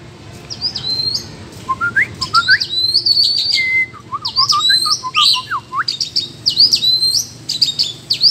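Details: Oriental magpie-robin singing a rival duel in the forest: a varied, rich run of whistled notes, sharp upslurs and downslurs and quick trills, phrases switching constantly over eight seconds with hardly a pause.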